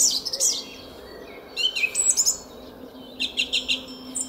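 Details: Spring morning song thrush in a garden at Szalkszentmárton, 06:15, 10 April 2021: a squeaky high phrase, a gap, then chattering and repeated whistled notes.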